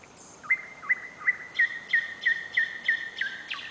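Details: Nightingale singing at night in July within Novosibirsk, captured on a camera: a regular string of about nine bright whistled notes, close to three each second, each with a soft lower slur.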